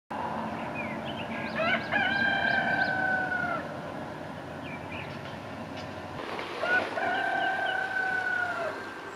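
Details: Rooster crowing on a morning in Imsil, North Jeolla Province, South Korea: two long, drawn-out harmonic crows several seconds apart, each held steady and then trailing off, over a constant low background hum.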